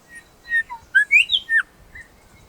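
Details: Grey Shrikethrush at Gluepot Reserve, South Australia outback: a short phrase of rich, ringing whistles, some rising and some slurring down, about six notes over two seconds, ending on a falling note; songs vary by region.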